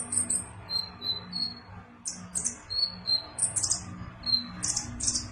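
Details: Sunbird in full song with very high, thin notes: short sizzling bursts alternating with brief clear whistles, delivered about three per second in an irregular pattern, over a soft steady low background hum.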